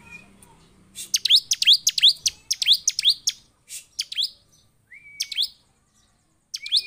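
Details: Agitated Bar-winged prinia singing, a series of sharp upward-sweeping high notes repeated rapidly, then thin whistles and scattered chips.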